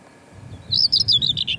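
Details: A male Common Whitethroat, just back from Africa, sings from its song post, apparently on the north Pembrokeshire coast, Wales: a brief, fast, scratchy phrase of high jumbled notes lasting about a second, over a faint low rumble.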